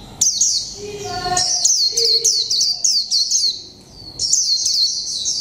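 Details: Mộc tinh Japanese white-eye, in a cage one month, sings líu pha chòe trống song: high twittering phrases of rapid downslurred notes, a brief lull, then another energetic burst.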